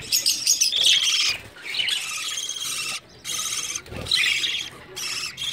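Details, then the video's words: Breeding budgerigars at the start of summer, a dense high chattering chorus of warbles and squawks in bursts broken by short pauses, with several birds calling over one another. "Excellent budgies breeding progress"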